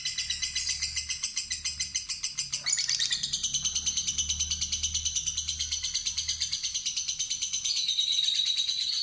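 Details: Fighter lovebird pressing on with a long ngekek chattering trill after a lure; a brief sharp knock interrupts near the three-second mark, then the fast buzzy pulses continue with a faint low hum.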